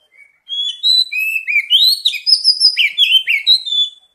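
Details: Kacer, the oriental magpie-robin, singing as a lure for untrained birds: a continuous, loud, rich song of rapid sweeping whistles and warbles, densely layered and varied, with no other sounds.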